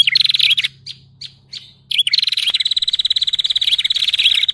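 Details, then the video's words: Lure sound used to trap prinias of every kind: a quick buzzy trill, then a few isolated high chirps, followed by a sustained fast, evenly pulsed high trill. "SUARA PIKAT SEMUA JENIS BURUNG PRENJAK"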